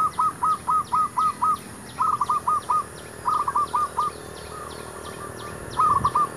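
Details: Zebra dove singing during a session luring wild doves for trapping: bursts of short, clipped cooing notes in quick runs of four to seven, pausing between phrases, over steady ticking insects and a low background hum.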